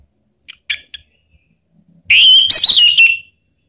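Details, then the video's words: Orange-headed thrush call used to prompt other birds to sing along: a few soft short chirps, a pause, then a loud rich whistled warble wavering up and down for about a second. "Suara Panggilan ANIS MERAH biar ikut berkicau Ngeplong"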